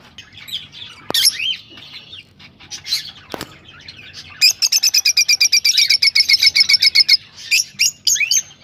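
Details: Rosellas sounding to encourage breeding, with a few upslurred whistled notes and clicks, then a long steady rapid trill of evenly repeated buzzy pulses for nearly three seconds.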